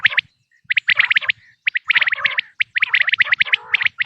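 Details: Natural quail calls for hunting, 2026 season. Quick bright chirps come in tight groups of four to six, and a lower buzzy churr appears near the end.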